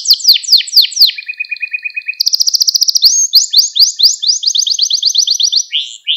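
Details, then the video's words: Lesson song of a canary used to teach young canaries, opening with fast descending sweeps, a steady low whistled note, then a long rapid rolling trill of rising slurs repeated many times a second. "Kanarya Ders Ötümü ve Kanarya Sesi"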